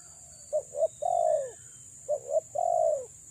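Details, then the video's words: Two phrases from a female spotted dove used for luring, each two quick clipped coos and a drawn-out burry note that slides down, about 1.5 seconds apart, steady electronic hiss throughout. "BURUNG TEKUKUR BETINA PREM4N MENGH4JAR PIKAT‼️"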